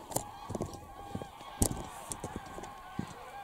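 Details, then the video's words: Many geese taking off and landing at Wicken Fen and Burwell Fen on 23 September at evening, giving a dense chorus of short honking calls with clicks and bursts of broadband noise throughout. "Lots of Geese take off & land"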